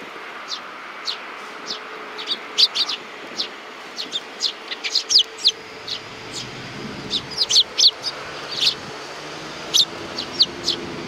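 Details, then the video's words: Hand-tame young sparrows giving short, high chirps scattered irregularly across the recording, some in quick pairs and small bursts, over a faint steady hum and soft low noises. "可愛いすずめ達 20190628 4 （手乗り子雀）"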